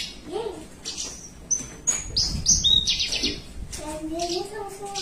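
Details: Caged Javan bushlark singing in the long 'melung panjang' style while perched at rest: a few drawn-out high whistles and descending slurs in the middle of the recording, with a human voice talking at the start and end.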